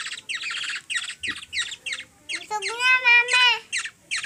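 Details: Hungry Black-naped Oriole (kilyawan) fed by a three-year-old girl in the Philippines gives harsh, rasping squawks in quick succession, interrupted midway by a high, drawn-out child's voice.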